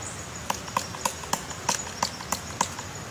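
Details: Woodpecker making a nest, crisp knocking taps on wood repeated about every quarter second, slightly irregular, with a steady high whine and hiss behind.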